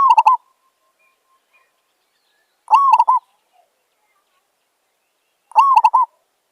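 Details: Wild village zebra dove, described as fierce, calling at a trapper's decoy: three short rolling coo phrases about two and a half seconds apart, each a rising note followed by quick bubbling pulses, with silence between them.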